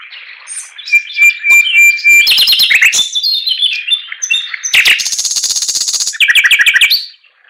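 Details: Rich song of a Chinese hwamei: a sustained whistle and quick mixed phrases, then a long buzzy rapid trill and a closing cluster of loud repeated notes.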